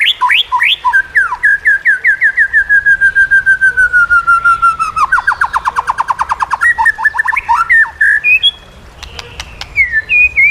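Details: White-rumped shama training song for encouraging quiet birds to sing. Evenly repeated descending whistles run into a fast, rattling trill, then give way to varied slurred notes and a few sharp high calls.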